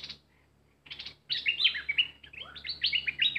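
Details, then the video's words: Decoy bulbul in an excited state gives a rich, rapid warbling phrase of squeaky, bouncing whistles after a brief buzzy chatter and a pause. "Burung merbah lekir bay hoach thom gacor bahanan"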